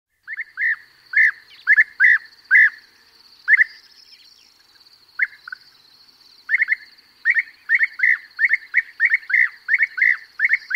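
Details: A perched European bee-eater calls close by while others call in flight, soft rolling liquid 'prruip' calls in quick overlapping runs, with larks and a corn bunting singing behind.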